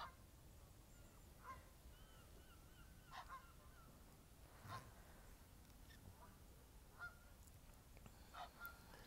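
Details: Several Egyptian geese outdoors, some stretching their wings in display; a series of brief, harsh honks at irregular intervals, some doubled, against a constant low-pitched background hum.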